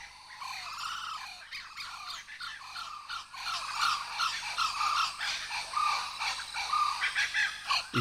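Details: A family of five Blue-winged Kookaburras in Kakadu, far north Australia, holds a territory by the billabong edge below the escarpment and calls together in a harsh, overlapping chorus of raucous barks and cackles that runs without a break.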